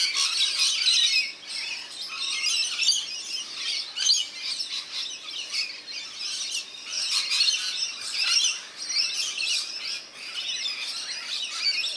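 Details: Rainbow lorikeets bathing together in a backyard birdbath in NSW, Australia: a dense, continuous chatter of harsh, high screeches and shrill squeaks, swelling in bursts every few seconds with short quieter gaps between.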